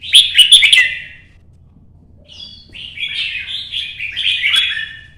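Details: Kept red-whiskered bulbul singing for competition as it moves between perches. A sharp, loud chattering burst opens, followed by a silent gap, then a long, flowing series of warbled, slurred notes.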